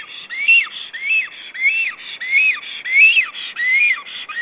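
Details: Returning Black stork arriving back at its Estonian nest, 16 April 2013, on a webcam; loud, evenly spaced whistles, each arching up and sliding down, about six in four seconds, with no other sounds.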